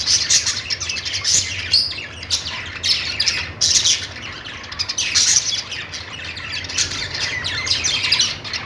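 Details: Happy budgies chirping: bursts of harsh, scratchy warbling and short squawks crowd together in quick runs, with brief lulls between them.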